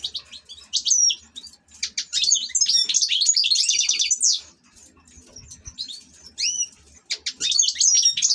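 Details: Ornamental European goldfinch pouring out a fast high jingling twitter with buzzy rasping elements, pausing briefly, then resuming with sharp slurred whistles and quick chirps.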